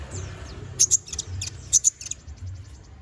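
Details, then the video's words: Konin bird song for training magpie-robins: paired piercing high chips repeated in short clusters, with faint thin twitters between them and a steady low hum underneath. "MASTERAN BURUNG KONIN GACOR NGOBRA FULL ISIAN!"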